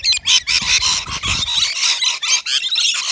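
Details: Rainbow lorikeets, native to Australia, at a balcony nectar feeder; a nearly continuous run of raspy, shrill screeches with little pause between calls.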